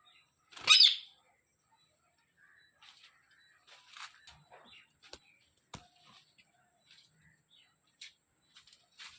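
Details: Parrot calling in a garden: one loud, harsh, rasping screech near the start, followed by scattered faint clicks and soft chirps.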